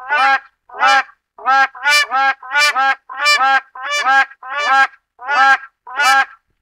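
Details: Black crowned crane, also called West African crowned crane, giving loud, harmonically rich honking calls. About ten nasal honks come in a steady rhythm, roughly one every 0.6 seconds, each with a slight double-pulsed quality, on a quiet background.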